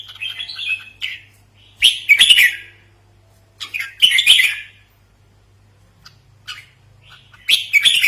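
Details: Red-whiskered bulbul call used as a trapping lure and training model: bursts of harsh, chattery notes around the upper-middle range, each lasting under a second, separated by short pauses, with a faint low hum throughout.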